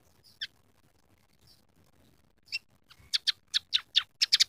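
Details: Emprit peking, the scaly-breasted munia, chirping with borrowed canary, house sparrow and red siskin phrases: a few isolated high chirps, then a quickening run of sharp, clipped notes near the end, over faint low background noise.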